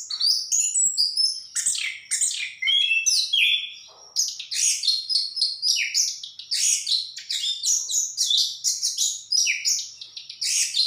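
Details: Orange-headed thrush, locally anis kembang, giving a long, dense song of high chattering, buzzy trills and whistled slurs, delivered almost without pause.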